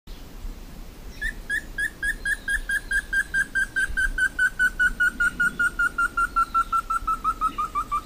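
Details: Slaty bristlefront, a bird endemic to Brazil, singing a long series of short whistled notes, about two per second at first then quickening, the pitch slowly falling through the phrase; faint background hiss.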